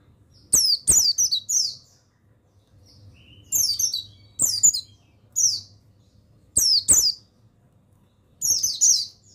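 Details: Mountain white-eye (buxtoni), a male song used as tutoring material for young birds: five short clusters of shrill, falling, twittering notes, each led by a crisp tick, separated by brief pauses over a quiet low hum.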